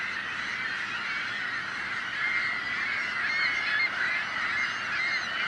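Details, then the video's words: Seagulls calling en masse to frighten off would-be predators; packed, steady chorus of harsh nasal cries, growing slightly louder midway with clear squeals above. "The Sound of Seagulls | Why Are Seagulls So Noisy?"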